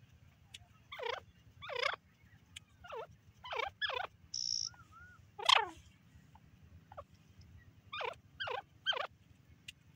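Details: Female francolin giving repeated raspy, looping call notes in quick pairs and singles across ten seconds, with a brief whistled note and a short buzzy sound between bursts and low background hum.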